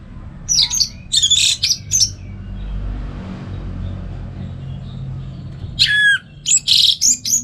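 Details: Orange-headed thrush singing in the morning at home in North Bali, Indonesia, a caged songbird kept as a song tutor for other birds; short bursts of bright, buzzy, rapid notes with gaps, faint low background hum.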